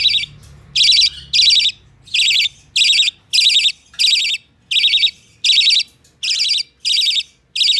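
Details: Hand-reared budgerigar chick on 12 November 2020 calling insistently: around ten loud, rough, buzzy notes spaced fairly evenly, each about half a second long, against a quiet background.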